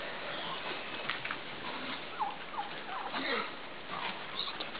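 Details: Midget White turkeys mating, a tom dancing beside a receptive hen; short downward-sliding yelping notes come at irregular moments over a steady background hiss.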